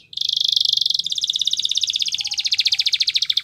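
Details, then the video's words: Canary song used for training: a long continuous rolling trill of very rapid pulsed notes, steady and bright, changing slightly in speed after the first second and running on throughout. "Canary Bird Sounds | Canary Training"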